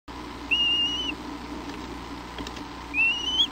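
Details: Newly hatched bald eagle chick, a likely female, at its first feeding on the afternoon it hatched, in a nest on Hornby Island, British Columbia, April 28, 2011: two thin, high whistled peeps with a steady hiss behind.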